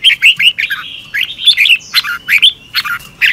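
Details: Morning song of a Red-whiskered bulbul in the fast, fired-up double-twisting style: quick chain of clear whistled and slurred notes, each bouncing up and down, packed into short repeated bursts.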